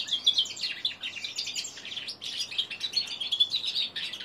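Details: A three-month-old male hybrid of common linnet and canary practising its song, giving a steady, unstructured stream of high twittering and buzzy warbled notes with brief pauses.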